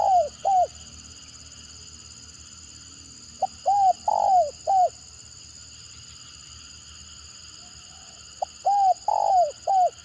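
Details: Spotted dove 'gagap' call, a stuttering lure style meant to spark answering calls from other birds. Broken coo phrases come at the start, near three and a half seconds and again near eight, each with a sliding long middle note.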